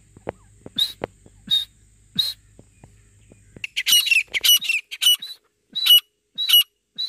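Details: Grey francolin (Ortygornis pondicerianus) calling: loud, harsh, high-pitched notes, the first three about a second apart, then quickening into a strident repeated series; a low hum fades early on.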